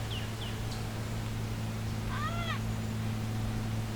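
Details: Gray Catbird in Beverly Swamp, Flamborough, Ontario, at the 2024 summer solstice gives its namesake occasional meow: one nasal, cat-like mew that rises then slurs down, about half a second long, after faint high chips, over a steady low hum.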